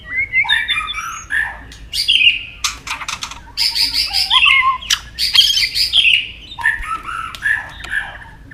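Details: Provoked white-rumped shama in competitive song. Clear whistled phrases rise and fall, mixed with sharp clicks and bright ringing notes, in quick changing bursts with brief gaps.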